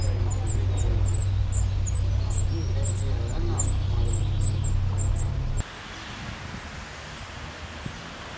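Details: Spotted flycatcher nesting among screws in Dombóvár, Hungary, 8 June 2017, recorded from a window hide: rapid thin high squeaks repeated for about five seconds over a low droning hum, then quieter background.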